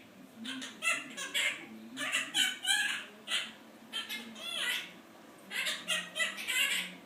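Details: Male pet Quaker parrot reciting its owner's job complaints, learned untaught from listening to people; choppy, nasal, speech-like phrases of several syllables each, separated by short gaps.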